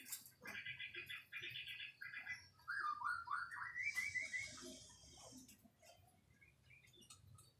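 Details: White-rumped shama singing quietly: short buzzy trilled phrases, then a run of quick rising and falling notes around the middle, with faint background hiss.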